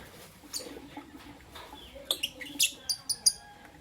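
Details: Albino and Euwing green opaline lovebirds kept as pets, heard in the morning: quiet opening with scattered faint notes, then a run of sharp high chirps about every two tenths of a second in the final two seconds.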